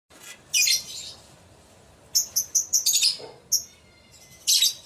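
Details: Lovebird lure call used to draw other lovebirds into answering: harsh, high-pitched screechy bursts, one early, then a rapid run of short shrieks near the middle and a final loud burst, with a faint thin whistle in between.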